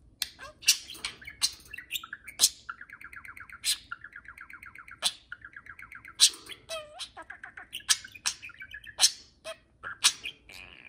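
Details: Two household budgerigars chattering to each other while flying freely indoors: a busy warble of rapid pulsed buzzy notes, repeated trills and bright whistled chirps broken by sharp clicks, in a quiet room.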